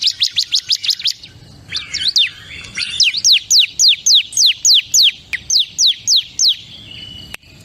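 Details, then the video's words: Ciblek kristal, a Bar-winged prinia, delivers a steady run of loud, high, falling whistled notes in quick succession, about three per second, with a brief tangled phrase near the start. "SUARA CIBLEK KRISTAL PALING GACOR"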